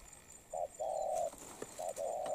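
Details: A moulting spotted dove with a good, quick voice gives soft, low, hollow coos in a short-then-long pairing, the phrase repeating after a brief pause, with faint high hiss behind.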